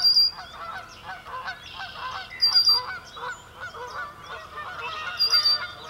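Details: Sandhill cranes at sunrise over a cloudy marsh give a rolling, rattling call of rapid repeated notes, with other cranes calling and faint high whistles of small birds behind.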